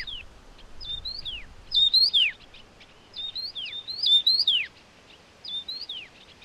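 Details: Taiwan yuhina feeding hungry chicks, giving bright, high chirps, each with a sharp downward-sliding note, in short bursts every second or so against a faint steady hiss.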